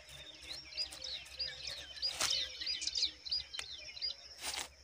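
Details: Pipit nestlings in the nest: a dense chorus of short, high chirps and squeaky upslurred notes from several young birds, overlapping unevenly with a few sharper clicks, against a low steady hum.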